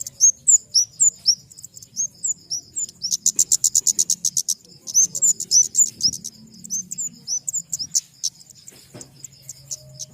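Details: Flowerpecker of the family Dicaeidae chirping in thin, high slurred notes, broken midway by a fast, even run of about twenty buzzy ticks, then more scattered sharp chirps, with a faint continuous high drone behind.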